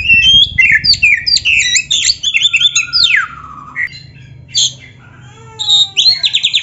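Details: White-rumped shama (kacer) masteran song for training: rapid burst of whistled and buzzy notes, a long sliding downward whistle, quiet gap, then a few ringing notes and repeated trills.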